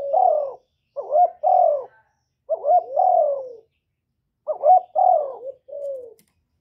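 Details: Rhythmic spotted dove cooing, groups of three or four low notes, clipped rising coos then a drawn falling one, repeated roughly every two seconds, meant to rouse caged doves.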